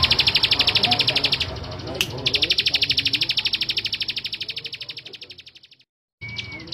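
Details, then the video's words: Male bar-winged prinia repeating fast, buzzy notes at about three per second, with a click and short gap partway through. The song fades, falls silent, and a faint rising whistle follows. "Suara Ciblek Sawah Jantan"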